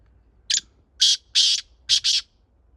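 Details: A Chinga partridge, a small breed known for calling often and having a small voice, gives five harsh, rasping bursts close together. The bursts are loud and broadband, with the second and third longer and the last two paired.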